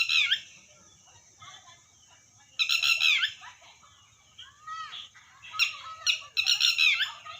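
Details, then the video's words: Red wattlebird giving loud, harsh rasping calls in bursts about every one to two seconds, mixed with shorter gurgling and clicking notes, over a constant high-pitched background hiss. "Red watteld bird sound"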